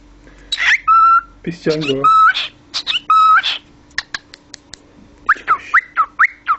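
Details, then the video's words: Cockatiel, a talking parrot, alternating noisy speech-like bursts with flat overtone-rich whistles. A lower human voice-like passage is heard early, and a string of short rising and falling chirps comes at the end. "konuşan papağan sultanpapağanı"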